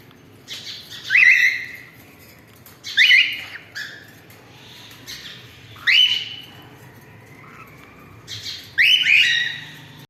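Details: Cockatiel family of pet parrots calling: four loud harsh squawking calls with rising buzzy onsets, spaced about two to three seconds apart, over quiet indoor background hum.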